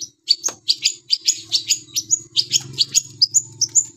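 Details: Long-tailed shrike (pentet) in gacor song: a rapid run of sharp, squeaky high notes, about two to three per second, some ending in thin whistled tails, over a low background hum.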